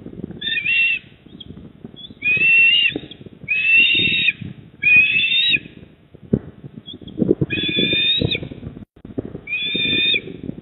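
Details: Shrill, harsh whistled calls from an eastern osprey at the nest, Port Lincoln, South Australia, evening of 28 October 2024. Six bursts arrive in two groups separated by a pause, with gusty low wind rumble throughout.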